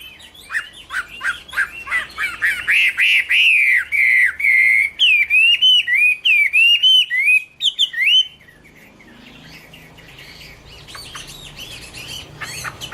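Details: Chinese hwamei (Garrulax canorus) in 2016, pouring out a melodious whistled song of wavering, looping notes for about eight seconds, then near silence with faint distant chirps.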